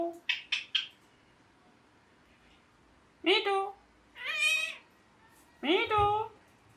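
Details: Pet ringneck parrot indoors making three quick clicks, then a run of loud, harsh, nasal screeches. Some rise and some fall, spaced about a second apart, with quiet gaps between them.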